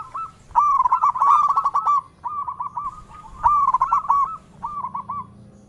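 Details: Melodious local zebra dove calling in all directions: loud rippling coos that rise into staccato bubbling runs, four phrases in under six seconds, each followed by a softer trailing stutter, over a faint low hum.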